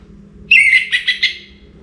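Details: Orange-headed thrush, singing toward daybreak: a bright whistled opening note, then three or four rapid, buzzy warbled bursts that fade out, over a faint low hum.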